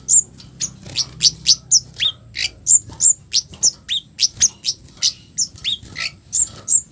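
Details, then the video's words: Coarse 'cit keres' lure calling by a scarlet-headed flowerpecker to trigger responses from others; steady stream of piercing high chips, some dropping in pitch, in a quiet background. "Suara kasaran Kemade baret merah || cabe cabean || cit keres || bikin Kemade lain langsung respon"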